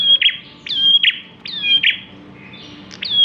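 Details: Bar-winged prinia singing briskly, good for luring other birds: steady high whistled notes, each ending in a sharp downward-sweeping flick, repeated about once a second with brief pauses; faint low hum underneath.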